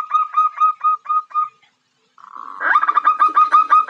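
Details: Female zebra dove attracting a male: a run of ringing, hooked notes, a pause, then a louder, rapid, buzzier burst of repeated notes.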